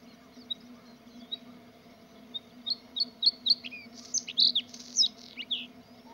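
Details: Singing bluethroat: a few scattered high chirps at first, then a rapid, varied burst of sharp, ringing whistles and twittering notes that grows louder toward the end, over a steady low hum.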